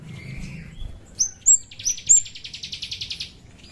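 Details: Chestnut-capped thrush used as a lure: a thin steady whistle, then bright high slurred notes, followed by a fast buzzy pulsing trill lasting about a second.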